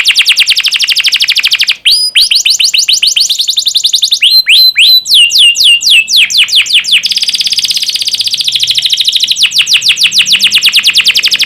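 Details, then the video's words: Recorded canary song meant to train young canaries: continuous high buzzing trill, a short break, then varied downslurred whistles in rapid series and further long rolling trills. "Masteran burung kenari paud biar gacor"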